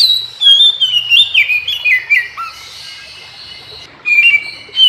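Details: In the morning an Oriental magpie-robin answers others of its kind with a torrent of whistled notes sliding downward in steps, a low slurred note, a pause, then a fresh burst of high whistles.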